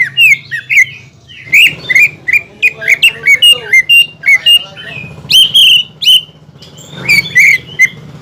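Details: Song of a greater green leafbird used to incite a rival bird: choppy sequences of ringing, slightly hooked whistles and chips, steady and persistent, over a low droning hum.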